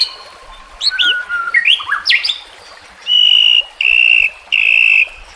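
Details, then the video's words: Training song of the white-rumped shama (murai batu), with nature ambience: slurred rising and falling whistles, then three long steady piercing whistled tones, each lasting about half a second. "Terapi Murai Malas Bunyi Dengan Pancingan Mewah Isian Terbaik"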